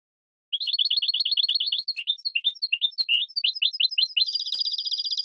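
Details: Captive-bird training song of a European goldfinch, recorded in 2017: fast liquid twittering that starts as an even trill, breaks into varied chirps and slurred notes, and ends in a bright rattling trill.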